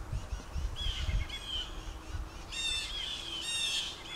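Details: Angry jays and other birds mobbing an owl or hawk hidden in woods near a driveway; loud, grating, buzzy calls in paired bursts, with low rumbling noise beneath.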